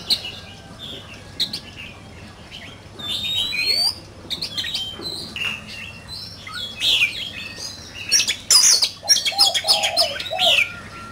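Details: Oriental magpie-robin singing in a heated contest: scattered short whistles and ticking notes early, building to a dense burst of sharp chirps, clicks and high warbled phrases toward the end.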